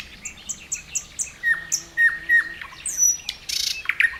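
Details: Nightingale song recorded at Khoroshevo, 29 May 2011: a run of short, evenly spaced high notes, then three loud level whistles with downward flicks, a high slurred note, and a burst of rapid buzzy rattling.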